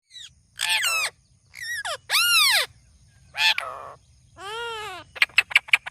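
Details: Parrot calling "Mithu": a series of loud, harmonic, arching squawky syllables in separate bursts, some rising and falling, ending with quick sharp clicks and chirps in a quiet room.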